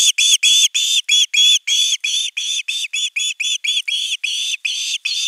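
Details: Osprey at nest 3 calling at length for fish, 10 August 2021, ahead of a whole fish being brought. Loud, drawn-out, strained whistles repeat rapidly and almost without break, at about three per second.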